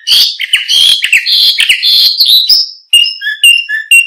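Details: Canary song intended for luring and tutoring other birds: a dense, rolling warble of mixed whistles and buzzy trills, then separate clear whistled notes sliding down in pitch.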